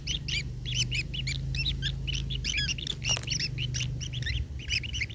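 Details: Hungry long-tailed shrike nestlings being fed by a parent, steady stream of hoarse double-noted squawks, fast and overlapping, with a brief sharp click in the middle and faint low drone.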